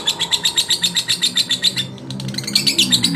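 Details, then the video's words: Male lovebird provoking rivals: quick, regular high chirping pulses, about four a second, a short break, then more scratchy twittering, over a faint low hum. "SUARA LOVEBIRD JANTAN MERANGSANG EMOSI LAWAN"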